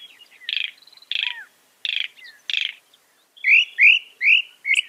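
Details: Northern mockingbird singing rapidly: four harsh raspy notes in a row, then a switch to a series of bright upslurred whistles, each phrase type repeated in the mimic's typical way.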